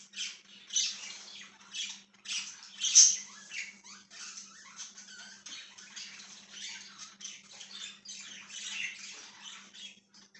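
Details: Budgerigar chirping: a busy, continuous stream of high scratchy chirps and warbles with a few louder squawk-like notes near the start, alongside a low steady hum.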